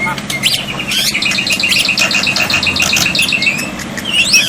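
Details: Black-winged myna tutor song for silent birds, with water therapy: a rapid train of short, even whistled notes, about six per second, over a buzzing chatter and a low rumbling background.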